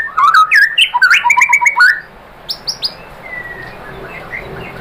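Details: White-rumped shama song meant to set other shamas singing: two seconds of quick, jumbled whistles and chattering notes, then soft scattered high whistles fading into quiet.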